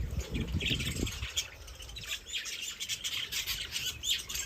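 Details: Birds chirping outdoors: a dense chorus of short, high chirps and squawky notes from several birds, with a low rumble in the first second.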